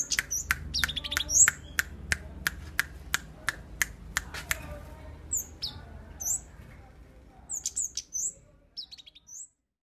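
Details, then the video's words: Tame, lively caged cabe bird (flowerpecker) calling: thin, very high chirps between sharp, evenly spaced clicks in the first half, then a cluster of short high notes near the end over a low background hum. "Cabe cabean Gacor Jinak"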